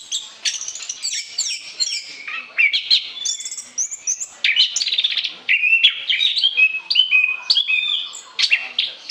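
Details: Orange-headed thrush singing a continuous, rambling song meant for use as a lure: fast, varied whistled and chattering phrases, high and bright, with short rising and falling notes packed closely together and barely a pause.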